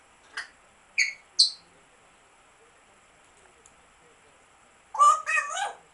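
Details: African grey parrot giving three short, clipped chirps in quick succession, then a pause and a longer, warbling, speech-like burst of rich tones lasting about a second.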